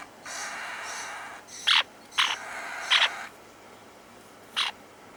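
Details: A young mauve lineolated parakeet, still growing in its feathers, gives four short, scratchy chirps at uneven intervals over about five seconds, with a soft rustling hiss between them.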